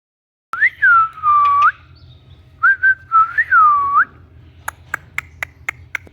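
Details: Pet Indian ringneck parakeet indoors giving loud clear whistles, rising then falling in long slurred phrases, followed by a series of short sharp clicks.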